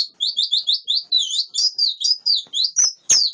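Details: High, thin whistled notes from a wild-caught white-eye, repeated quickly in a lilting rising-and-falling sequence, ending with a sharp click.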